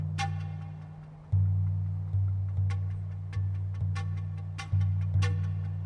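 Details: Rhythmic music with sharp percussive hits over a throbbing low bass pulse.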